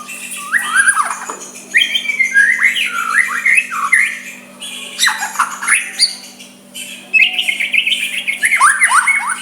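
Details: White-rumped shama in soft provoking song to make a rival answer: rapid bursts of downslurred and upslurred whistles, each phrase a few seconds long, broken by short pauses, over a faint steady hum.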